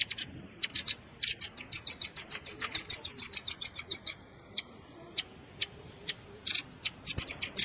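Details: Red-billed rambatan luring calls combined with juvenile calls: long run of rapid high chips for about three seconds, sparse notes, then a short renewed burst.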